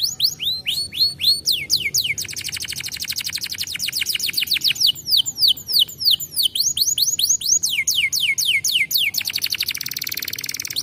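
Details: Canary singing, used to push other canaries into song: rapid series of high downward-sweeping whistles alternating with tight rolling trills, phrases changing every couple of seconds, loud and continuous throughout.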